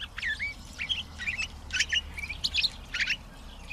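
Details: Pine grosbeak singing a fast, busy phrase of whistled notes and clipped chirps, several notes sliding up or down, packed tightly with almost no gaps.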